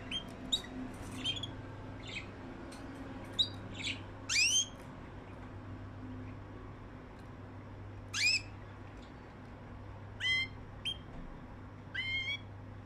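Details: Caged canaries kept together in Erbil, Kurdistan, Iraq, give scattered rising, harmonic chirps and sharp ticks, irregularly spaced over about thirteen seconds. A steady low hum fills the background.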